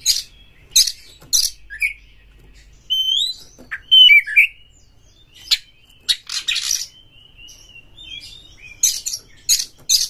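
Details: Provoking song of a caged white-rumped shama: sharp clicking rasps and harsh squawks alternating with sliding whistled notes, in short separated bursts.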